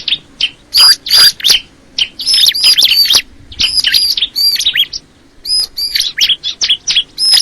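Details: Crystal ciblek, a bar-winged prinia, delivering bright, high chirping song in quick clusters, with piercing thin whistles over sharp twitters and brief pauses between bursts.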